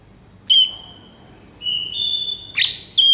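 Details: White-rumped shama song used as a master recording to make other shamas respond: long, steady, high pure whistles, one held note sliding into a second, then short sharp notes near the end over faint background hiss.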